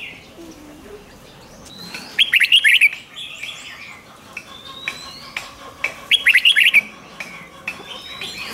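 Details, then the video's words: Rik-style singing of a red-whiskered bulbul, recorded to excite caged birds: two rapid chattering phrases four seconds apart, surrounded by soft rising whistles and scattered clicks. "เสียงนกกรงหัวจุก ร้อง ริก เปิดให้นกฟัง ยั่วให้นกคึกจัด"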